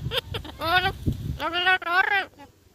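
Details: Free-flying northern mealy amazon (Amazona guatemalae) gives a few short clicks, then two drawn-out, nasal, wavering, almost bleating calls rich in harmonics, over a low background rumble.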